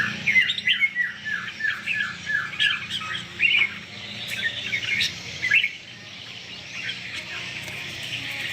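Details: Caged red-whiskered bulbul kept for song contests utters a run of rapid down-slurred whistled notes, then looser chattering phrases over a steady background hiss.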